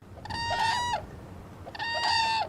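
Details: An endangered whooping crane in November, when the birds migrate from Canada to winter on the Texas coast, gives two loud, bugling whoops about 1.5 seconds apart, each a harsh, rich, level note lasting under a second.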